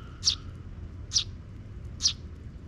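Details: June park sparrows, with a young chick coming after a parent scouting for safety. Three sharp, high chirps spaced almost evenly, about one per second, against quiet low rumble.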